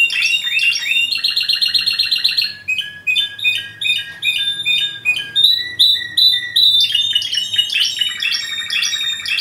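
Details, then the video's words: Varied song of a Yemen linnet: fast high trills, short clipped notes and brief pure whistles alternating in quick phrases, with a rapid descending twitter at the close. "yemen canary"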